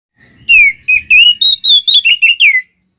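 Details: Oriental magpie-robin fighting song used to provoke other birds: clear whistled notes near the upper register, slurred and falling, delivered as eight loud phrases in quick succession.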